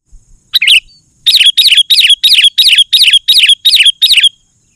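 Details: Sooty-headed bulbul singing vigorously, a recording meant to provoke other bulbuls and lure wild ones: after a brief opening chirp, nine quick, bright, bubbly two-note chirps repeat steadily, about four every two seconds, in a quiet background.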